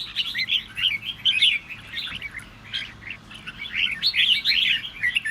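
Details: Red-whiskered bulbul singing to provoke other birds into song: a dense run of bright, warbled and chirpy phrases in quick bursts, fairly continuous over five seconds, with no other clear sounds.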